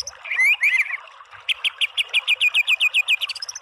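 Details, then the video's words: Short white-rumped shama phrase: a couple of wavering whistles, then a steady run of about fourteen repeated clipped notes, rising into a thin high whistle at the end. "MASTERAN MURAI BATU full TEMBAKAN biar EMOSI NYAUT jadi BUNYI GACOR BONGKAR ISIAN"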